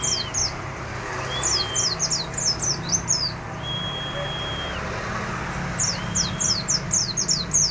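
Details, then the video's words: White-eye singing in ngalas style with fillers: bursts of sharp, descending high chirps, a couple of drawn-out flat whistles, and background noise with a steady hum. "pleci full ngalas isian"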